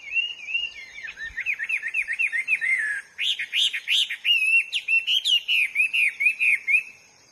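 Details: Hwamei singing in the wild, long series of looping slurred whistles repeated rhythmically, then louder sharply rising notes, delivered several per second.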